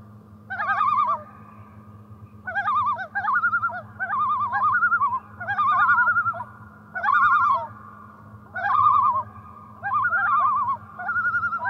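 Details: On a lake in spring, loons give a long run of wavering, laughing tremolo bursts, about eight phrases spaced one to two seconds apart, some with two voices overlapping, against a steady low hum.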